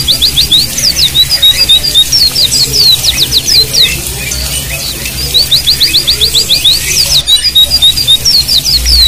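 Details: A white-eye's rapid run of thin, high chirps and twitters, several per second in quick bursts, over a steady rushing sound of flowing water, played as water therapy to prompt silent white-eyes to sing.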